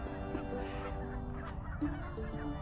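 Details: Canada geese in a flock, among about 20 snow geese and three white-fronted geese, at a Colorado state park on the final birding day of 2023, honking in a dense overlapping chorus of nasal calls over low rumble, possibly faint music.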